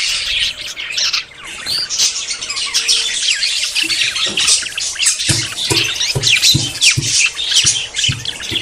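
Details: Courting budgerigars about to breed chatter in a dense high twittering chorus; in the second half a series of low, regular thumps sounds roughly every half second beneath the birds.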